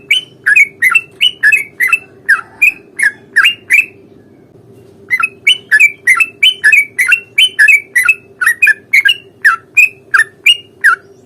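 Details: Sooty-headed bulbul fighting song, a long rolling ropel used to provoke a reply: rapid bubbly, slurred notes around two to three per second in two long bursts separated by a brief pause, over a steady low hum.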